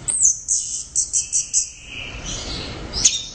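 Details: Orange-headed thrush giving a loud run of five or six evenly spaced high chirps, followed by a long thin whistled note gliding downward, then a sharp closing call.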